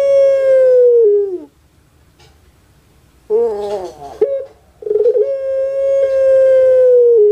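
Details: Pelung chicken cared for by its keeper in Java, Indonesia, crowing twice: long steady ringing notes dropping at the end, split by a rough, wavering burst of sound.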